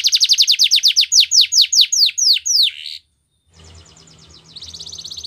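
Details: A canary song meant to set other canaries singing: a quick run of bright downward-sweeping notes ends in a buzzy flourish, a brief silence, then a soft, steady high trill rises in volume.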